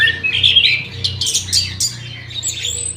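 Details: Birds in an aviary in the morning: harsh squawky calls and rough chirps overlapping, with a steady low hum underneath.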